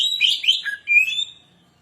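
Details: Short phrase from an Oriental magpie-robin's provoking lure song: a loud scratchy burst followed by a smooth, clear whistle that trails off.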